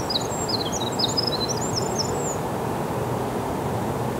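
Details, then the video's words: Winter wren perching alertly while singing, recorded 29 March 2021 in Montoursville, Pennsylvania: a thin, very high twittering run of brief tinkling notes for about a second and a half, over steady low rushing noise. "Winter Wren alertly perching and singing"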